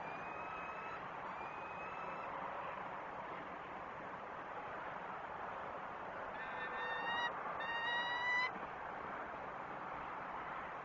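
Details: Peregrine falcon at its nest on Great Spirit Bluff, recorded 22 March 2019 around midday: two bursts of short, harmonic, rasping call notes, the second a rapid series, over a constant loud rushing background noise.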